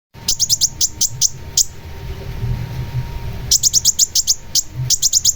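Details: Long-tailed shrike singing in rapid bursts of short, sharp, very high chirps, several per second, with a quiet pause in the middle and a low background rumble.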